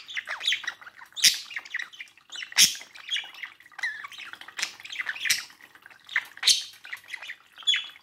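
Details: A male and a female pet budgerigar at a mirror chatter busily, with a steady warbling flow punctuated by piercing squawks roughly every one to two seconds.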